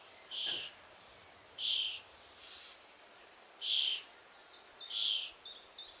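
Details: Young common starling at a nest hole, waiting to be fed by its parents: harsh, hissing, buzzy begging notes in short bursts about every one to two seconds, with faint thin higher notes between them and a steady background hiss.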